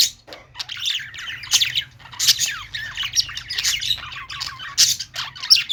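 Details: Budgerigars in a pet store: a flock chattering and chirping, with dense, busy warbling squawks and bright twitters in loud bursts, several birds calling over one another, and a faint low hum beneath.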